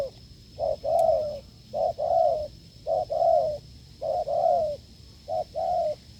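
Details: A spotted dove in the wild answers during a decoy test that failed, repeating hard low coos in pairs, a quick note then a longer downslurred one, five phrases in steady rhythm over a faint electronic tone.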